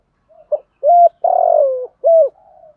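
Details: A spotted dove, a decoy bird cooing to call others in the morning, gives a low, mellow phrase: a soft lead-in note, two hollow coos around a longer drawn-out crooning note, then a fading tail.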